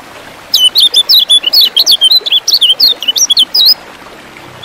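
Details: Lemon-bellied white-eye (kecial kuning) song played as a lure to stir kept birds to sing for contests: a rapid run of high, thin, wavering notes lasting about three seconds, then silence.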